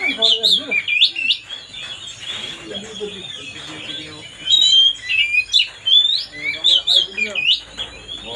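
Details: Oriental magpie-robin song used to goad another bird into anger: bursts of varied, sweet whistles and quick slurred notes, loud phrases clustering near five and seven seconds, with a faint low warbling sound underneath.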